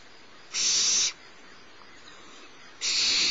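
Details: Barn owlet, the littlest in the nest, fed by its mother at Starr Ranch in the morning; two harsh hissing screeches about half a second each, separated by a two-second pause.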